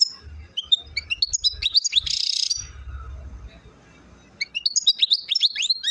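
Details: Goldfinch song recorded in Chouala, Mendes district, Relizane province, Algeria: rapid, bright, high twittering notes, then a brief hissing burst and a pause before the liquid twittering resumes; low rumbling background throughout.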